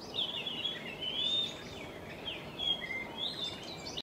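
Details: Fluting whistles from a Japanese grosbeak in a flock resting in a tall tree, as smooth gliding phrases rise and dip through constant broadband background noise.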